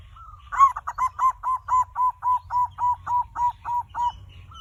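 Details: A zebra dove's lure song for prompting other birds to sing quickly: a soft lead-in note, then a clean run of about thirteen evenly paced, mellow coos, each slightly falling, over near-silence with faint low hum.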